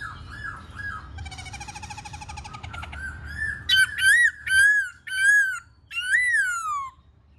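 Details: Black-throated laughingthrush song during a dancing display: soft arched notes, then a fast buzzy rattling trill, giving way to loud, clear, arched whistles that rise and fall, repeated about once a second.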